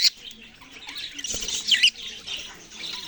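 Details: Short stretch of budgerigar chirping: a bright squeak at the start, then a louder burst of warbled chatter with a few sharp notes before it fades softer.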